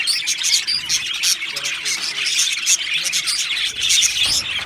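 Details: Two male budgerigars warbling in fast, varied chirps and whistly squeaks, a dense chatter with short louder peaks.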